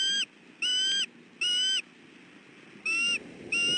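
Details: Southwest Florida, 28 December 2013: a male bald eagle defending the nest as an intruder approaches utters shrill, slightly wavering whistled notes, five calls in under four seconds with short quiet gaps between them.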